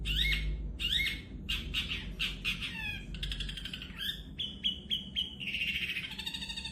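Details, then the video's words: Varied song of a champion long-tailed shrike: rising whistled slurs, clipped chattering notes, a run of sharp repeated whistles and a final buzzy trill, all loud and high. "Burung cendet juara"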